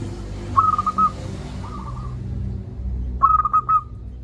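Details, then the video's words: Local zebra dove with a loud voice, meant to spur lazy doves to call, sings a quick cooing phrase, a fainter purring trill, then a louder run of four stuttered coos near the end. "Perkutut lokal gacor suara besar - Masteran Ampuh Mengatasi perkutut Malas bunyi."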